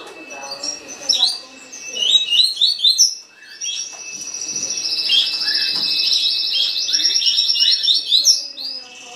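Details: A green-winged saltator sings quickly in the tuí tuí style, with short whistled phrases and then a long run of rapid, even, high notes lasting several seconds.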